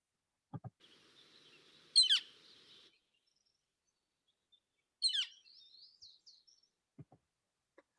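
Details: A Northern Flicker in Montana gives two loud, sharply descending single clear calls about three seconds apart, a call heard year round, with a few soft low knocks and faint hiss.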